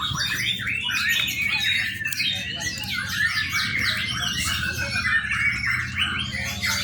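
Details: A young White-rumped shama's continuous song for training other birds: quick repeated chirps and slurred whistles packed tightly together, steady in loudness, over a low droning hum.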